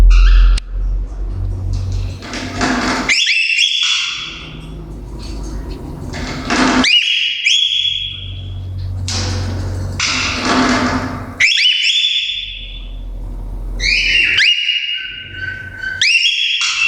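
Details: A cockatiel sitting in a cage gives bright, rising and sliding whistles in short bursts, with a low indoor hum.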